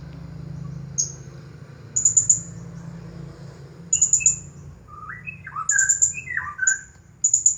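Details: Champion Blue-crowned hanging parrot singing in the 'Nagih Hutang' style: bursts of very high, rapid stuttering chirps repeated every second or two, interspersed with lower downslurred whistled notes, over a low background hum.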